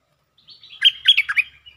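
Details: A brief phrase from a provoked territorial Stripe-throated bulbul in 'sap rik' lure style: a soft lead-in, then a quick, loud run of warbled, falling-and-rising notes.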